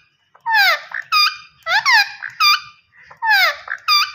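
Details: Green ringneck parrot talking indoors. It gives three rapid repeats of the same phrase: a gliding, buzzy, harmonic syllable, then a sharp high squawk, about every second and a half.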